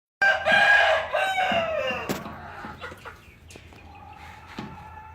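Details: Rooster crowing: a loud harmonic-rich crow opening the recording and fading out after about two seconds, followed by a sharp click and scattered faint clucks and background noise.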